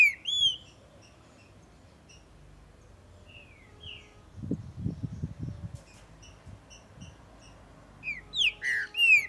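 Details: A warmed-up, territorial Green-winged Saltator (Saltator similis) singing in tournament and breeding season gives short, rich whistled phrases that slur up and down, with pauses; a few dull low thumps midway.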